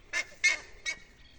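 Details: Four buff-necked ibises calling from a tree near a rural farm: three loud, harsh, honking notes in quick succession, each brief and metallic, about every third of a second.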